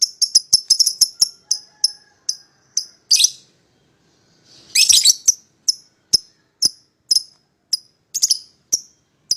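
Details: Pied lovebird pair calling a rival to sing along: quick high chirps slowing to regular tweets, broken by a rasping squawk, then evenly spaced sharp chirps resuming.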